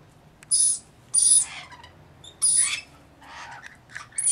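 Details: Rainbow lorikeets bathing and feeding: three sharp, harsh screeches at irregular intervals, with softer raspy notes between them over a quiet background.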